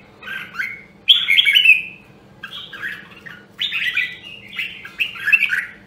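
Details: Red-whiskered bulbul from Nam Dong, Hue, Vietnam, a caged bird in song training. Rich, chattering warbles come in four phrases that rise and fall, the second one loudest, over a low humming background.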